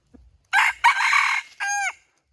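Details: Red junglefowl crowing, possibly a decoy bird: one crow in three parts, a loud harsh opening note, a longer rough middle section, and a clearer, tonal, slightly falling final note, with faint low rumbling beforehand.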